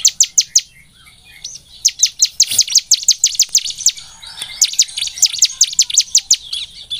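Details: Bar-winged prinia (ciblek semi) lure song meant to stimulate singing: a few high chips, a short lull, then long rapid runs of sharp, down-slurred notes at a lively pace.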